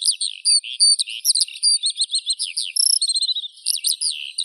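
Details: Rapid, high-pitched Eurasian skylark song of crisp chirps, short whistles and a fast repeated stutter, flowing without pause.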